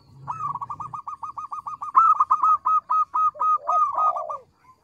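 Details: Loud, small-voiced local zebra dove singing to draw answers: a long, steady series of rapid clipped coos that grows louder midway and ends with lower curved, descending notes.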